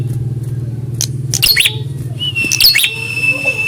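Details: Prinia in a test of its response to a rival: scratchy, rasping bursts cluster in the second half, followed by a sustained thin whistle, all over a persistent low motor drone.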